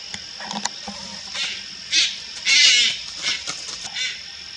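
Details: Young Malayan night heron at Lugu, Taiwan, August 2022, giving scattered hoarse rasping calls. The longest and loudest is a drawn-out harsh grating note near the middle, above a continuous shrill insect background.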